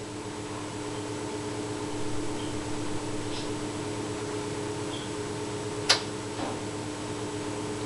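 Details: Indoor room with a constant electrical hum and faint hiss, broken only by one sharp click and a softer knock shortly after, no animal voice.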